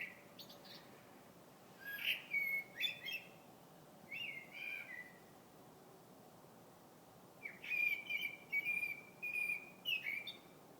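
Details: A bird singing in February gives clear whistled phrases. It starts with a few sliding notes, then after a pause a run of four or five even, level whistles, against a quiet background.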